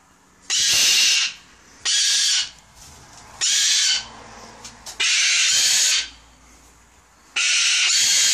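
Cockatoos give five loud, harsh, raspy screeches, each under a second, at an irregular pace with quiet gaps between them.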